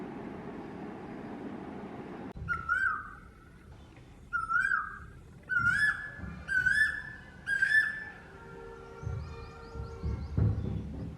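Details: Male Asian koel song in a quickening run: about five whistled rising notes, each louder and higher than the last, then a steady tone and softer chirps as the series fades.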